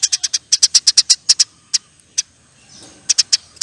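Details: Eurasian tree sparrow chattering 'nyerecet': evenly spaced bright high chips in a quick series, a lone note, a short gap, then a few more chips.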